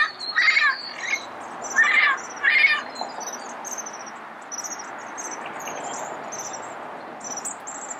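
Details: Red-crowned amazon in Pasadena in the early morning, giving three harsh, grating squawks in quick succession, then falling quiet while thin, high chirps of other birds continue.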